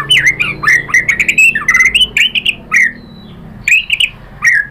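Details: Female white-rumped shama calling to a male to spur him into song: a fast series of husky, slurred whistled notes rising and falling, with short gaps and a low background hum.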